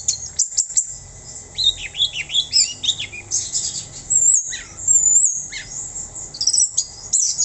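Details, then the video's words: Orange-headed thrush, known locally as anis merah, singing in the intense "mabuk" style: a rapid stream of high, thin chirps, slurred whistles and squeaky trills in varied phrases, with a faint steady hum behind. "Anis Merah / Punglor Bata Mabuk"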